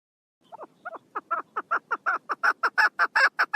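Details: Female chukar partridge, 1 June 2022: soft, hesitant clucks quicken into an accelerating, increasingly loud chain of coarse chuck notes.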